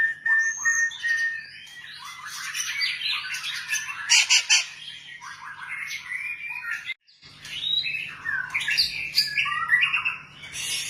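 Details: White-rumped shama song: loud, rapidly changing mix of whistles, rising and falling slurs and squawky bursts, broken by a short gap near seven seconds, then resuming over a low steady hum.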